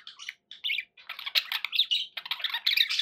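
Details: Domestic budgerigars in steady, high, rasping warble with clicks and squeaks, nearly unbroken after a brief early gap.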